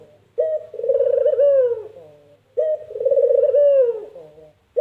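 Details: Two slow, low coos from a puter dove, whose call is imitated as "mpuk jerruuu". Each starts with a crisp short note, swells into a rolling coo and ends in a downward slur, with a faint low hum behind.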